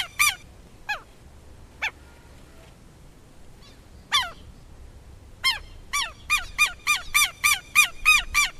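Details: Southern lapwing giving scattered loud, strident falling cries, then breaking into a fast, regular series of harsh, nasal notes, several per second; low background rumble.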